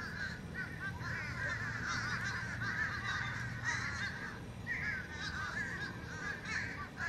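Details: Fish crows making a ruckus: a flock's nasal, overlapping caws run almost without pause, rising and falling in waves, over a steady low rumbling hum.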